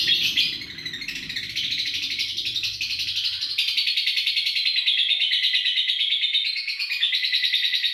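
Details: Lovebird giving its long ngekek trill, played as a master recording so other birds copy it: a continuous, rapid, high chattering trill sustained for eight seconds with slight shifts in pitch and intensity.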